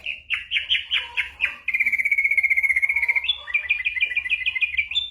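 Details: Ashy drongo tutor song packed with imitations of gunshots and other birds, for training white-rumped shamas in moult; a few slurred notes, a long fast trill on one pitch, then a quick series of repeated chirps.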